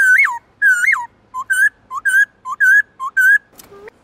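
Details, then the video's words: Varied forest-voice song of a kept black-throated laughingthrush: two rising hooked whistles, then alternating short low notes and longer level whistles repeated in pairs, ending with a brief lower sound. "Khướu bạc má hót nhiều giọng kích bổi cực nhạy/Luyện khướu bạc má hót giọng rừng cực chuẩn"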